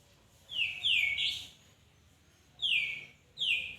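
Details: Magpie-robin whistling bright notes that slide downward, a long drawn-out double phrase first, then two shorter falling whistles after a pause, over faint low hum.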